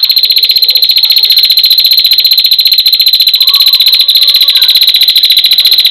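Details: Long lively calling of a female prinia, used for training cage birds: a continuous rapid run of sharp, high-pitched ticks, evenly spaced at about four per second, with no pause.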